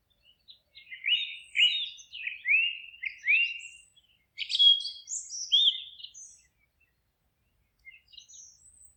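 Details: Woodland birdsong: a series of clear downward-slurred whistled notes repeated about once a second, then higher sharp chirps and a short pause before a few faint final twitters.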